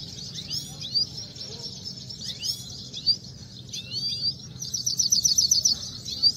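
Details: Himalayan goldfinch in a singing contest, giving thin rising and falling twittered notes with a fast buzzy trill near the end, over a steady high hiss and low background noise.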